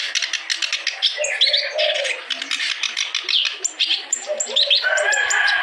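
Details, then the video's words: Kerak basi, the clamorous reed warbler, in sustained song used to get lazy or silent birds singing; fast, scratchy chattering bursts with brief squeaky whistles and low warbles. "KICAU BURUNG KERAK BASI GACOR"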